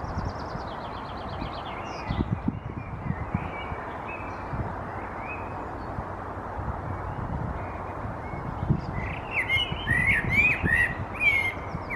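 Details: A Common blackbird (Turdus merula) perched in a tree in Helsinki, Finland, in May 2022 sings short, fluty warbled phrases, with a richer burst near the end; a high thin twitter opens the clip over a constant low rumble.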